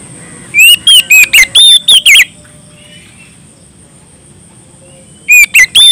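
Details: Oriental magpie-robin in full, loud voice calling out to a rival. A burst of about seven bright, twisting whistled notes is followed by a quiet pause, then three more clear notes. A faint steady high hum sits in the background.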